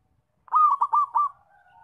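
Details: Zebra dove, a loud singer kept for luring and trapping. One phrase of five quick, rounded cooing notes, then a faint, level trailing tone.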